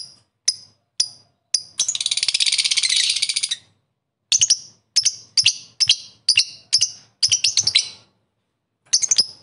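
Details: Single high chirps, then a dense buzzy chattering trill lasting nearly two seconds from a lovebird calling rivals, followed by a quick series of sharp chirps.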